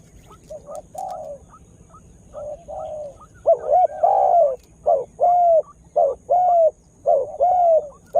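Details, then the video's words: Spotted dove used as a lure bird to provoke wild doves, just starting to call actively; soft mellow coos at first, then loud rolling cooing phrases with short upswept notes, each phrase with a drawn-out falling coo, repeated about once a second. "Tekukur Dengan Daya Panggil Yg Unik Bikin Burung Liar jadi Emosi"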